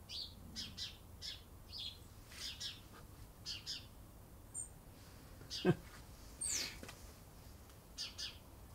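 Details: A very alarmed sparrow gives short, high, agitated chirps in quick bursts, roughly every half second, with a soft thump and steady background hiss; recorded on a sunny 13 November 2020 in England.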